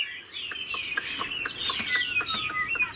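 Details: A domesticated Chinese Hwamei in a cage sings a soft run of gliding whistled notes. Sharp clicks and taps are scattered through the song.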